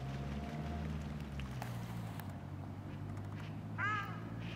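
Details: A female Ruddy shelduck at Trnovski pristan, Ljubljana, on 28 January 2023 gives one short, nasal, honking note near the end, over a steady low rumble of traffic or engine noise.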